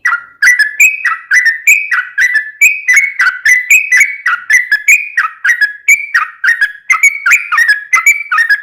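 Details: Long rapid ropel song of a sooty-headed bulbul intended to make other bulbuls sing: clear, bright whistled notes alternating between slightly higher and lower pitches in a steady, bouncing rhythm for over eight seconds.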